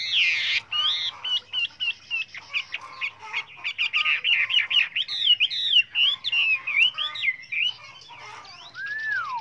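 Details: Many-voiced Chinese hwamei song meant for training other hwameis: a harsh burst opens, then a long run of rapid whistled notes, bouncing up and down and fairly irregular, closing with a long falling slurred whistle.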